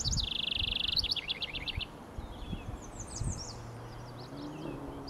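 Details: A house wren singing from a pine treetop in early morning, 28 May 2023, Kennebecasis Park, New Brunswick, gives a quick bubbly burst: a high buzzy trill into rapid chattering, then softer tumbling phrases, over low rumble.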